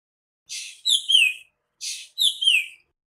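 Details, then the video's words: Nightingale singing two short, high phrases about a second apart, each a hissing burst followed by bright downslurred whistles, against a clean, quiet background. "Singing nightingale."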